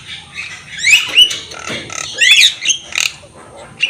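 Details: Javan myna singing in full display, a bobbing-head (manggut-manggut) training recording; harsh squawky notes and rising whistled slurs in two bursts, with softer gaps and faint clicks between.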